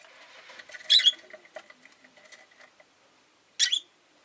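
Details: Rosy-faced lovebird giving two sharp, shrill chirps about two and a half seconds apart, with faint soft chatter and light clicks between them in a quiet setting.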